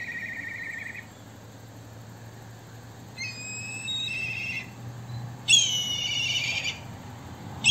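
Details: A black kite in Córdoba gives three high, quavering, whinnying calls over about seven seconds, each a trembling stack of thin notes, with a low steady hum underneath.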